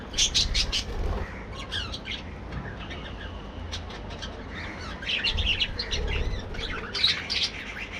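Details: Budgerigars kept as a breeding colony, heard in their morning activity: bursts of sharp chirps and squawky warbles from several birds, with low rumbling background noise and wing flutters.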